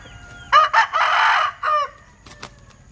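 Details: A Linh Kê rooster gives an unusual crow: two short harsh notes, a long hoarse drawn-out middle note, then a short closing note, lasting about a second and a half. Brief high clicks follow in a quiet background.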